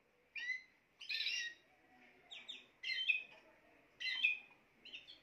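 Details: Spanish timbrado canary song heard more faintly, in short separate bursts of chirpy, buzzy notes spaced about a second apart with pauses between.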